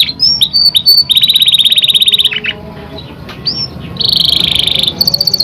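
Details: Young canary breaking into full song, used as a lure recording to spur other canaries: quick pulsed trills, high thin buzzy rolls and short upward-slurred whistles, with brief pauses between phrases.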